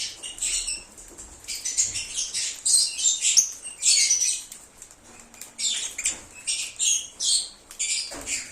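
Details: Lovebird chatter as a recall lure for an escaped bird: dense, shrill, high chirping in overlapping bursts, with a short lull near the middle before it resumes.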